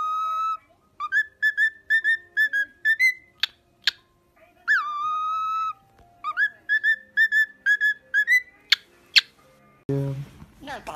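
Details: Talking, singing pet parrot whistling a lively melody of rapid short notes and a few longer sliding ones in repeated phrases, ending with a burst of harsh noise and a squeal.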